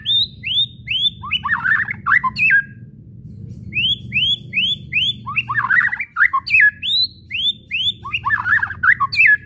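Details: Kretekan and whistling of a white-rumped shama, played to stir other shamas to sing: strings of upslurred whistles run into dense chattering runs, with a short pause before the pattern starts again, over a faint low hum.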